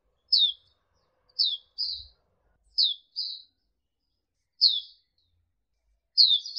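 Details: Hume's white-eye (pleci auriventer) master recording for training birds: sparse, clean, high down-slurred chip notes, sometimes paired, spaced about a second apart in an otherwise quiet setting.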